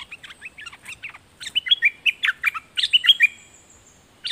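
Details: Red-whiskered bulbul in a long, lively song of many quick, warbling, slurred whistles, rising and falling in bursts, with short pauses between phrases.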